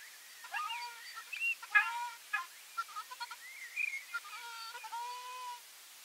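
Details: Ruddy shelduck giving a series of nasal, honking calls with strong harmonic overtones, some notes rising and others held flat, delivered in loose bursts over about five seconds against a quiet background.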